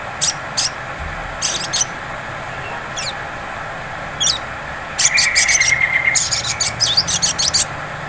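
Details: Sogon sunbird lure for provoking song: isolated high chip clusters and two quick downslurred notes, then a long run of rapid shrill ticks over a sustained thin whistle, with a low hum behind.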